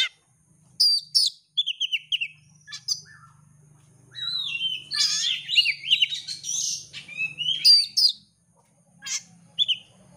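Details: Oriental magpie-robin, a champion competition bird, singing a lure song to provoke another bird: whistled and buzzy phrases, scratchy rapid notes and a rich warbling run, with a faint low hum beneath.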